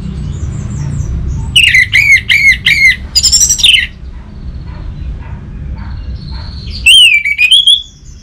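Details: Orange-headed thrush song used to coax other birds into singing: a quick run of repeated clear whistled notes sliding down, a burst of higher twittering, then a pause before a final rising-and-falling whistled phrase over low background hum.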